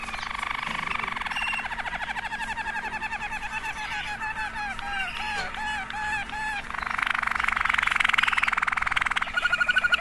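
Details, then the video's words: Four different Waterslager canaries sing in turn with continuous rolling trills and bubbling water tours plus klok notes. The birds vary in pace and tone, from fast to slower and deeper, with quick shifts between chattering tours and fuller rolls. "Potpourri of Waterslager canary songs"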